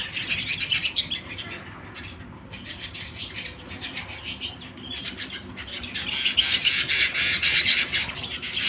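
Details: Canary singing indoors at home: dense, rapid high trills and chirps, fading briefly near the middle, then swelling into a fuller, louder trilled passage toward the end.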